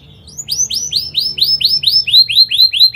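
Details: Canary singing vigorously, a fast dense rolling song used to prompt and teach young canaries: a string of bright upswept chirps rising about five times a second after a soft start.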